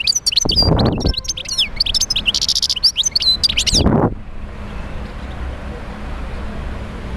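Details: European goldfinch song used to stimulate other goldfinches to sing: fast tinkling, twittering notes for about four seconds, broken by low thumps, then quiet background hiss.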